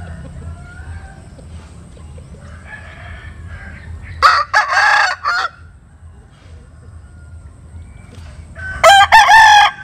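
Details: At dawn a chicken sunning in the morning gives two separate loud crows, one near the middle and one at the end, with a quiet stretch of faint clucks between them.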